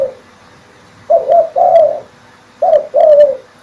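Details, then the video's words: Spotted dove giving a lively, loud call used as a lure to get other doves calling: low, mellow coos in two bursts, each a short note then a longer, slightly wavering coo, about a second and a half apart. "Suara derkuku gacor dan lantang ||cocok untuk pancingan"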